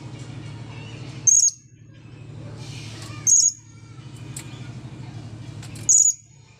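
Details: After its bath has dried, a blue-crowned hanging parrot gives shrill, high-pitched single squeaks roughly every two to three seconds, three clear notes over a steady low background hum.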